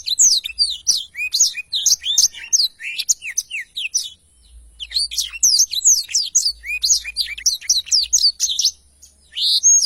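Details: A Blackthroat sings its long rolling song for use as a training recording: two extended runs of rapid, high, descending whistled notes, split by a short pause midway.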